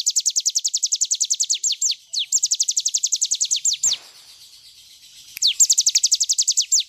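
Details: Cigun bird in full 'nembak' song for bird tutoring: long runs of quick, high, descending whistled notes in steady series, a brief quieter gap in the middle, then the fast burst starting again.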